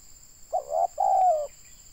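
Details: Spotted dove, a local Indonesian trapping decoy with a big voice. One coo phrase: a brief hoarse note, then a longer sustained coo that slides slightly downward. A thin, steady electrical tone sounds behind it.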